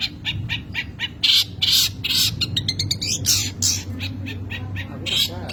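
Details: Long-tailed shrike singing a song rich in varied material in a wild, disorderly style: loud, harsh, buzzy notes and brief high squeaky phrases tumbling irregularly, about two or three per second, over a low steady hum.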